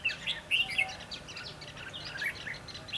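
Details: Bulbul chorus at a trapping session dated 22 December 2015: bright, clipped whistled notes and brief warbled phrases tumbling over one another, with light outdoor hiss beneath.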